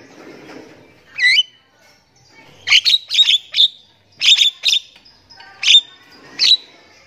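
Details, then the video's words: Morning gacor singing by a Javan myna, opening with a looping whistle, then clusters of rapid, harsh clicks and squawks in pairs and triplets. "JALAK KEBO GACOR PAGI HARI"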